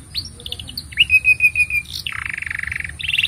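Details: Canary singing a long song used to train young canaries and prompt mute ones: a few quick notes, a level sustained trill, then a lower rapid buzzing roll.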